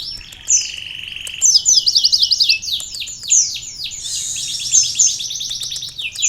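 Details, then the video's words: Energetic sunbird song with canary filler phrases; a short buzzy note leads into a long run of rapid chattering trills and sweeping high notes. "konin gacor isian kenari||asli suara burung kolibri isian"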